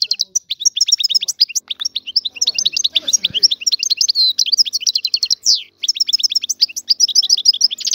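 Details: Sustained torrent of twittering from an Algerian goldfinch said to be free: quick tinkling chirps, short rattles and upflicked notes run almost without break for eight seconds, with only a faint low murmur beneath.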